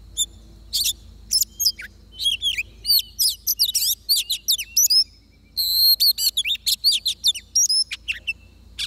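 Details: Oriental magpie-robin singing during a trapping session with a decoy bird: a rich run of varied whistled notes, sharp upslurs and chirps, bursting in quick phrases with a brief pause near the middle.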